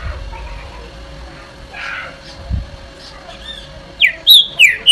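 Green-winged Saltator: a burst of four loud, clear whistled notes, slurred downward and quick, after several seconds of faint background hiss.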